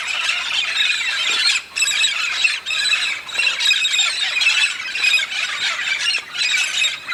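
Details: Red-spectacled parrots gathered in big migrating flocks in the Santa Catarina highlands of southern Brazil to eat araucaria seeds, filling the air with dense, raucous squealing and grating squawks, with brief dips in volume.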